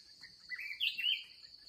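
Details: Red-whiskered bulbul, a fierce wild bird met during the last trapping session of the day: a short run of warbled, slurred whistles rising and falling, with a steady high insect drone behind.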